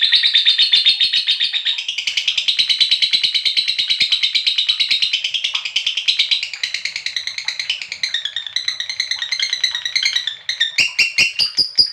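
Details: Long ngekek from a lovebird, played as a lure so that other lovebirds trill: a fast, unbroken, buzzy chatter lasting about ten seconds, giving way to a few separate sharp chirps at the end.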